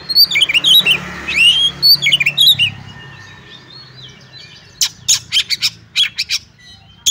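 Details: Oriental magpie-robin fighting song, a caged kacer: whistled warbling phrases with looping slurs for over two seconds, a quieter gap, then a rapid series of sharp harsh clicking rasps repeated several times a second.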